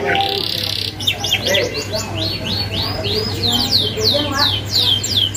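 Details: Vigorous canary singing with sharp rolling phrases, meant to train young birds. It opens with a flat buzzy note, then gives rapid arched and downslurred whistles in a continuous tumbling roll, with a low hum underneath.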